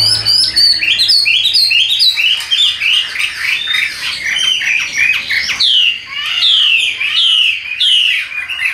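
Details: Caged, tame Chinese hwamei in Vietnam, singing while its cage is carried: rapid high chattering whistles at first, then a series of loud, clear falling slurs about once a second.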